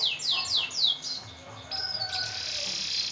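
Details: Canary singing, used as training audio for contest birds: four quick downward-sweeping whistles, then a steady high buzzy roll.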